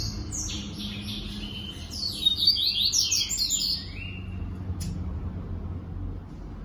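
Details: Male yellow-bellied seedeater, paired with its female, singing in 2022: a rapid, high twittering and buzzy warble of quick varied notes lasting about four seconds, over a low steady hum, followed by a single sharp click.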